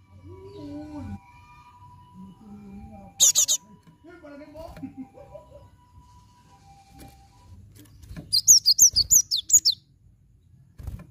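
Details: Java sparrow recording played as a lure to make other birds sing; near the end comes a fast run of about eight sharp, high chirps. Earlier there are soft low tonal sounds and one brief high burst.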